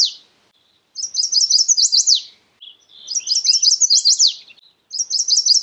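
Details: Two complete songs of a chestnut-sided warbler, plus fragments at either end: rapid high whistled notes building to a pair of loud falling slurs at the close, with short silences between.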